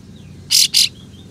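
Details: Kapas tembak with tail spread, giving a rough, harsh double shot meant to provoke other kapas tembak. Two loud, broadband rasping bursts sound back to back over a low background hum.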